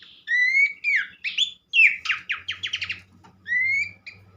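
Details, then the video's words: Horsfield's Babbler therapy song for prompting other babblers to sing: slurred whistles, then a fast series of sharp downward rattling notes, ending with a long rising whistle, over a faint low hum. "mesti ikutan gacor burung pelanduk semak lain dengan terapi andalan ini"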